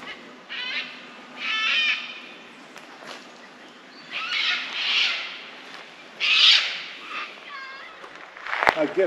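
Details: Harsh, raspy cockatoo screeches come in three loud bursts a couple of seconds apart, with faint chirps of other birds and people talking, in Cobaw State Forest, Victoria, Australia, during a 4x4 day trip.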